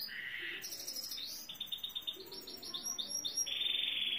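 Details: Singing Saira canary giving a steady flow of high trills, each phrase a fast series of repeated notes, closing on a bright sustained rolling note.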